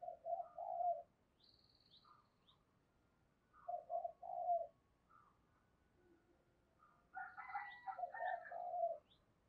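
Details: Spotted doves cooing, a decoy drawing in wild birds: three phrases of hollow coos ending in longer notes, roughly every three to four seconds, with faint higher chirps and a steady background hiss.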